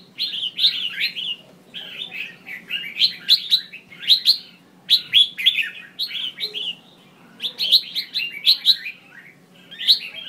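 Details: Red-whiskered bulbul female calling to provoke singing in males: continuous runs of rapid, downward-slurred chirps and warbled notes in several bursts with brief gaps, lively and irregular, over a low background hum.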